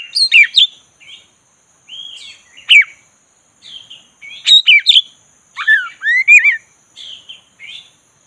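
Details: Oriental magpie-robin of the black-breasted variety in a relaxed continuous song, used to coax a sluggish bird into lively singing: bright slurred whistles, sharp chips and wavering phrases in loose groups, with a thin steady high tone beneath.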